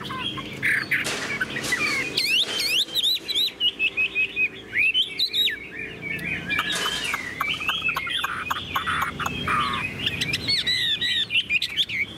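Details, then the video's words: Tame caged Chinese hwamei in continuous song: jumbled whistles, quick up-and-down slurs and trills, broken by several short broadband rattling noises. "Họa mi đẳng cấp, chim thuần, hót như 1 cái máy"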